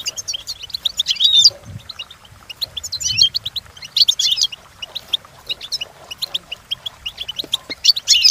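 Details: European goldfinch training song, bursts of quick liquid twitters and buzzy trills repeated every second or so, with faint low knocks in the background.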